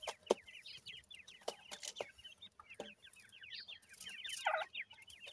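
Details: Grey francolin chicks, bred from a gora teetar male and a dakhni teetar female, give a busy chorus of short, quickly repeated chirps that slur up and down, with scattered sharp clicks and knocks.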